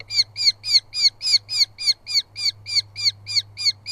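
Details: Two Eurasian hobby chicks fight over food in a southern UK nest while the adult male delivers moths. A fast, even string of about fourteen harsh, slightly downslurred calls runs over a faint hum.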